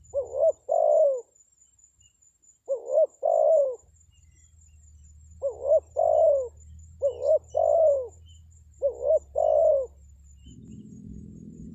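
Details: Spotted dove lure call, used to draw in wild birds. Five mellow, hollow coo phrases, each a short note followed by a longer slurred coo, spaced about two seconds apart. Low hum underneath, and a brief burst of noise at the end.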